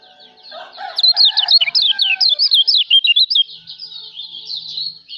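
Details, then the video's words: Lombok white-eye (kecial lombok) song for a songbird training recording: a lively two-and-a-half-second stream of sharp, high, rapidly alternating whistled notes, fading into a softer thin twitter. "masteran kicau burung kecial lombok"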